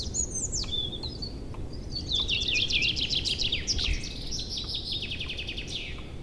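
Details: Spring birdsong in April forest and meadow near a river running with meltwater: whistled slurs open, then a long bright series of rapid repeated notes, several birds overlapping, against a low continuous rush.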